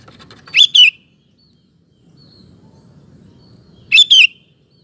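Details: Sooty-headed bulbul in full song, used to provoke male bulbuls into singing and to train them; two short two-note phrases about three and a half seconds apart, sharp and whistled, with soft low rumble between.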